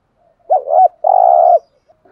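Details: Decoy spotted dove in the 'thúc gù' style used to provoke rival doves. One phrase: a bubbling two-part coo followed by a sustained, evenly buzzing low coo lasting about half a second, with silence around it.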